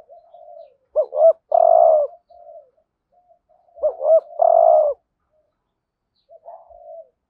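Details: Spotted dove lure calling in the full 'gọi thúc gù' routine to excite wild doves. Two loud phrases about three seconds apart, each a double rising hoot then a long, buzzing coo, with gentle murmurs between and after.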